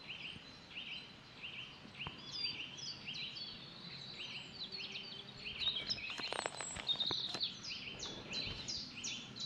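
A coal tit repeats thin, high, two-part notes several times a second. A brief burst of rustling and clicks comes midway, over faint background noise.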